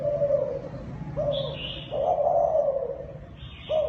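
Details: Thai dove giving kích bổi cooing: drawn-out low hollow coos, each starting with a sharp onset and sliding gently down, separated by short gaps, while small high chirps from other birds sound faintly.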